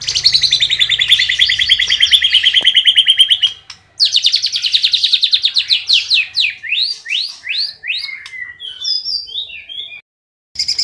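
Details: Loud cililin song for tutoring contest white-rumped shamas: a long, dense rapid rattling trill running several seconds, a short pause, then a fast sequence of quick rising and falling whistled chips, ending in brief silence.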